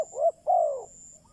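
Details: Decoy spotted dove call used to lure and excite wild doves. Two soft, low, hollow cooing notes, the second longer and gently falling, with a faint steady high whine in the background.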